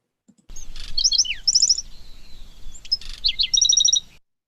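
A small songbird sings two bursts of high, quick chirps and rapid trills, each phrase about a second long, with faint background hiss.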